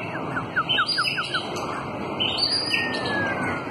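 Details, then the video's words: White-rumped shama at a bird farm aviary, singing in a contest. A run of six quick descending whistled notes, then higher sweeping whistles and trills over steady background noise with faint other bird sounds. "CHÍCH CHÒE LỬA HÓT ĐẤU CỰC HAY"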